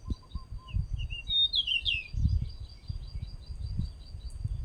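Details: Male pied bushchat giving one short, high, twittering phrase midway, with soft scattered chirps around it, a steady high whine, and low rumbling thumps of wind or handling noise.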